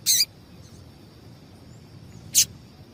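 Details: Calls of a female double-collared seedeater, used to excite males to sing in tournaments: a short high chirp right at the start and a second sharp chip about two seconds later, with faint hiss between.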